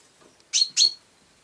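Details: Sparrow giving two short, bright chirps in quick succession, each a sharp high note, with near silence before and after.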